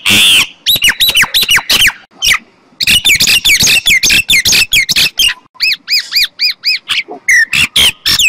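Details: A common myna sings a loud jumble of squeaks, clicks and squawks, followed by a run of arched, whistled notes repeated rapidly, then more harsh chatter.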